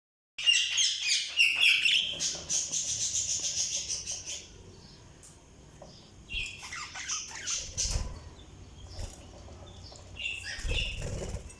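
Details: Pet budgerigars chirping: dense bursts of scratchy, buzzy chatter and squawks, loudest at the start, then quieter intermittent chirps with short gaps and low thumps.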